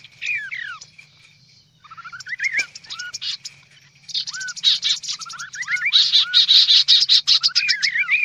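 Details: Noisy kaso-kaso bird lure call: dense bursts of harsh, buzzy chatter mixed with quick upward-curving whistled notes in rising runs, with a quiet gap and then the calling swelling louder toward the end.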